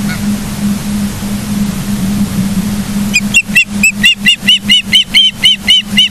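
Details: Osprey at its nest in Charlo, Montana, filmed by a live cam on 09/07/2023, 09:42: a steady electrical hum, then, halfway through, a burst of rapid, ringing whistled chirps that keeps going to the end.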